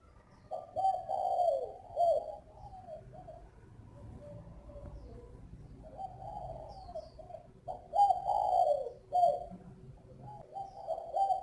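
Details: Spotted dove with a mixed-style voice from a breeder's aviary in northern Vietnam, giving low hollow coos in two phrases separated by a quiet gap, each with several rolling notes, and faint high chirps behind.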